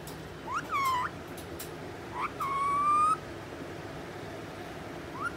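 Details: Angry four-month-old rose-ringed parakeet: clear whistled notes, each sweeping up then holding a steady tone, the longest under a second, with brief rising chirps between, in a quiet room.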